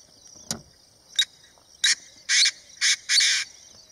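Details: Painted francolin calling; a loud series of harsh, rasping bursts that grow longer and come faster toward the end, with a steady high insect hiss in the background.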